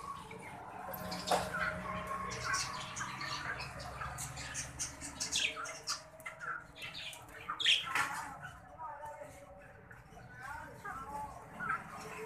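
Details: Breeding pair of green budgerigars, called Australian bajri parrots, giving busy squawking chatter: rapid, scratchy warbles and short chirps tumbling over one another throughout, with a low hum in the first half.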